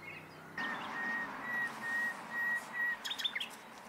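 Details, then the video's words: Common nightingale song: a slow series of soft, pure whistles on one pitch, about three per second, ending in a burst of sharp, high, rapid notes, over a noisy outdoor background. "Gesang der Nachtigall"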